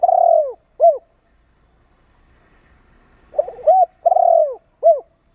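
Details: Spotted dove calling, played to stimulate and quickly train new birds: a long, mellow, downward-sliding coo followed by a short note, then a pause and another full phrase with brief introductory notes, background quiet.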